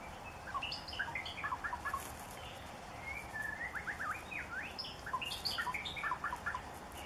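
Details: Wild white-rumped shama singing melodious birdsong: rich, varied whistled phrases of rising and falling notes and quick slurred trills, delivered in three bursts with short pauses between, over a steady low background rumble.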